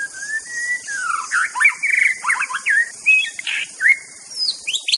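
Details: Master song from an Aceh white-rumped shama: a long gently rising whistle, then a jumble of fluty slurs, clicks and swooping notes, ending in high whistles, with constant hiss.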